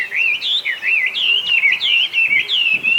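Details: Loud, continuous song of a Chinese hwamei, a bird known for mimicking other species and now feral in Japan: a smooth, rolling stream of clear, looping whistles rising and falling without a break.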